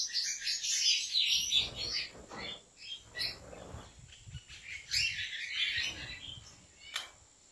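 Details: European goldfinch kept by a Turkish breeder singing: dense, rapid bursts of high twittering and chirping notes, each run lasting about a second or two, separated by brief quieter gaps, with a steady faint high hum in the background.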